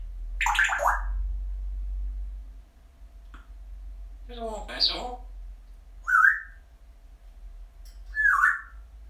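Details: Happy, chatty pet parrot grumbling and musing, with a repertoire including drawn-out hellos and "I see ya": a falling, warbling voice at the start, a rasping, speech-like burst midway, then two short rising whistled notes, over a faint low hum.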